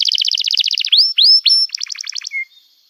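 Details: Canary song played to coach young canaries and revive birds that stopped singing: fast doubled-note trill, a few upward-sweeping whistles, a choppy trill, then a soft lower note.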